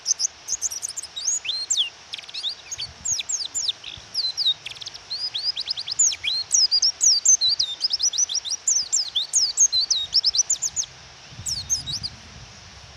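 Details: Female white-eye call meant to provoke the male to sing, recorded with rain falling: dense, continuous high-pitched twittering of short chirps and downward-sliding notes, almost without pause, over constant rain hiss and a few low rumbles.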